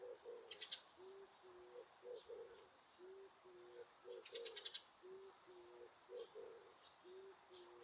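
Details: Birds calling in Osaka Castle Park, Japan: low soft hooting coos repeated about every half second, with brief high clustered chirps and thin whistles above; quiet surroundings with no people.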